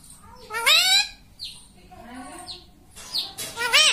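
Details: Pet rose-ringed parakeet talking, imitating the words mummy and papa: a few short, speech-like syllables with bending, voice-like tones, plus sharp high squeaky notes, over a low background hum.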